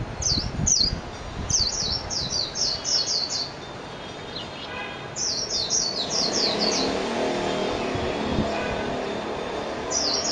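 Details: Japanese white-eye (mejiro) sings in two bursts of rapid high, sliding whistles separated by a pause, with a low background rumble and a last short phrase at the end.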